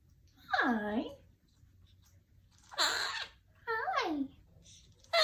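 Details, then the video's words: Pet parrot talking indoors, saying "smile and wave": three separate speech-like phrases with sweeping, sliding pitch and rich overtones, separated by short silences in a small room. "Parrot said smile and wave..smile and wave"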